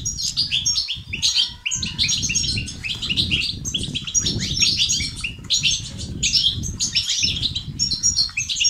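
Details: European goldfinch twittering played to stimulate males, boost their activity, get them singing and cure their silence. Dense, rapid, high tinkling chirps and buzzy trills pour out almost without pause over a low fluttering rumble.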